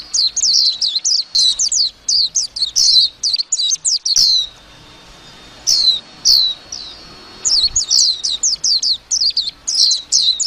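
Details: Long twittering phrases from a warbling white-eye: rapid, high, descending chirps run for about four seconds, break into a short pause with a few single notes, then pour out again in a dense stream.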